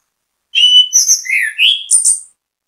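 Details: Orange-headed thrush (anis kembang) song used as bait to make others sing; clear whistled notes followed by slurred warbles and a final high buzzy flourish, lasting under two seconds.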